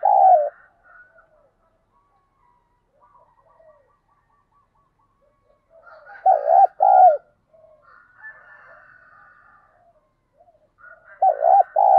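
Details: Caged spotted dove used as a decoy for wild doves: scattered soft murmurs, then paired low, rounded coos in short clusters near the middle and end, separated by quiet stretches.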